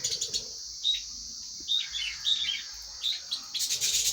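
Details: Lovebirds heard while eating, a lively string of sharp, high squeaky chirps, some in quick doublets, ending in a dense burst of noisy chatter, all above a steady high hiss.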